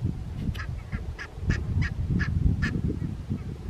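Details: Barnacle geese recorded 4 November 2024 at Strijen, South Holland, the Netherlands: about eight crisp, short barking yaps at irregular intervals of roughly a third of a second, above persistent low rumbling noise.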